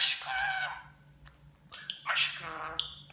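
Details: Pet budgerigar mimicking Turkish speech; tonal, voice-like syllables with layered overtones open the passage, then a pause, then a loud harsh burst and more vowel-like murmuring.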